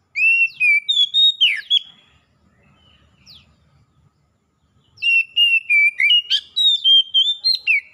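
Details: Oriental magpie-robin, a wild bird and a kept bird answering each other in vigorous song: two long runs of loud, clear whistled notes, rapid and varied in pitch, separated by a quiet gap with a faint low rustle.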